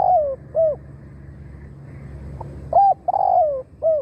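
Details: Spotted dove decoy luring wild doves, finishing one phrase with a descending coo and arched note, then after a quiet gap giving a full phrase of hooked note, long burry falling coo and final note.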